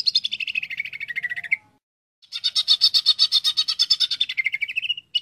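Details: Rapid buzzy chatter from a greater green leafbird, descending at first. After a half-second gap a loud harsh run of repeated notes, about four per second, slides downward into a whistled ending.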